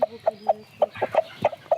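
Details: Rooster food-calling to a hen to give her a bit of grass it found: short, low, repeated clucks, about four a second, in quick evenly spaced bursts.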